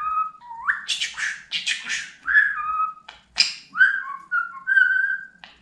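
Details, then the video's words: Pet budgerigar talking: clear whistled tones that slide upward and hold level, mixed with quick buzzy chattering syllables, all in a quiet room. "Konuşan Muhabbet Kuşu"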